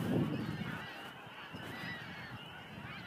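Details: Snow geese calling en masse at the Montmagny marsh in spring 2012; a loud burst of honking opens, then the dense, evenly layered flock chatter continues over low rumble.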